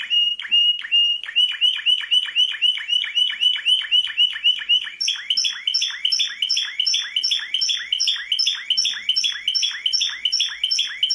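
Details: Singing canary, described as a world champion, delivers rapid repeated rolling notes, first at one pitch and then a higher, brighter series, each tour steady and fast.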